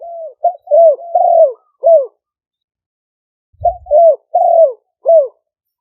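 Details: Spotted dove decoy birds of Malay strain in Roi Et, Thailand, calling to lure wild doves. Short clustered coos, each falling slightly at the end, come in two groups separated by a pause. A single soft thump sounds between them.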